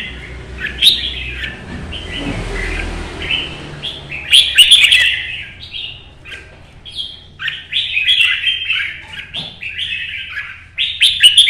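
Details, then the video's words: Vietnamese red-whiskered bulbul in competition singing, a solo run of song: short whistled, slurred phrases separated by brief pauses, several sharp crackling bursts, faint low background rumble. "CHÀO MÀO | Nắng sớm solo chạy cầu hót đấu kích chim"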